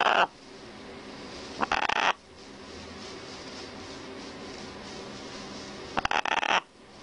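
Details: Parrot giving two short, loud, harsh squawks several seconds apart against a steady hiss of background noise.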